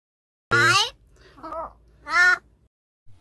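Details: Talking crow uttering two loud harsh word-like caws with a softer voiced sound between them.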